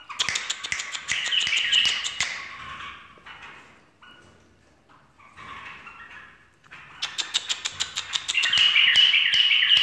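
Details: Bulbul giving full song with finger tapping: loud chattering warble, a pause with soft whistled fragments, then fast rhythmic clicks leading into a renewed burst of bright, rolling song.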